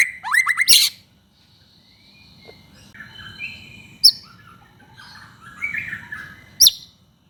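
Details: White-rumped shama singing to provoke other shamas: a quick burst of descending whistled notes, then scattered short phrases and sharp chips over a soft, steady background hiss.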